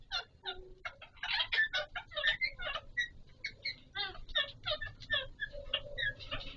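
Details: Alexandrine parakeet of the Pahari Kashmiri type calling while mating: dense runs of harsh, nasal chatter notes in uneven bursts, with a brief lower tone near the start and faint background hum.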